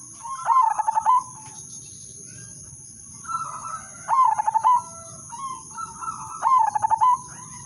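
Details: Three melodious cooing phrases from an udanmas silver zebra dove used as a lure singer, each opening with a smooth coo and ending in a rapid, rolling series of clipped notes, with quiet gaps between.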